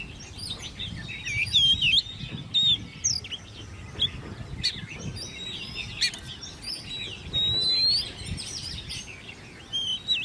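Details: Hand-raised ten-month-old caged Oriental magpie-robin in competitive singing; scattered sharp whistles and short slurred phrases amid busy chirping from other birds and low background rumble.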